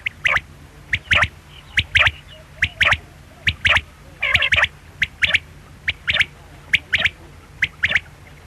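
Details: Quail calling steadily: crisp, high, clipped notes in pairs and triplets repeated roughly every second throughout, with a low constant hum underneath.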